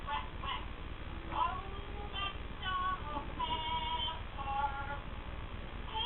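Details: A parrot sings 'Old MacDonald Had a Farm' in a reedy, voice-like warble, short sustained notes rising and falling through the simple melody over a steady low hum.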